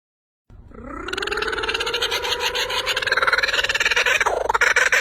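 A kookaburra opens with a low rising note, then breaks into a fast, raucous cackle of rapid pulsed notes that grows louder and harsher.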